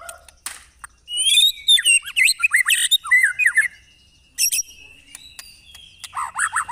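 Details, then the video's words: White-rumped shama in a real-bird training recording with hard 'tembakan' phrases: a fast jumble of whistles and sharp chips, a quiet pause, then scattered high ticks and a closing run of quick downslurred notes. "MASTERAN MURAI BATU TERFAVORIT KOMPLIT TEMBAKAN SUPER GANAS !!! BURUNG DI JAMIN LANGSUNG NYAHUT."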